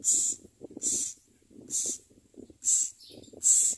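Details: Common myna chicks beg with harsh, hissing rasps, five half-second bursts in under four seconds, as adults bring worms and locusts to feed them, over faint low rustling.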